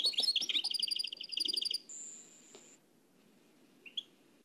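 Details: Nightingale in Oued El Alleug song style, copied from an old tape: a quick sequence of clear repeated notes, a sustained thin high whistle near the middle, then near silence with one short chirp.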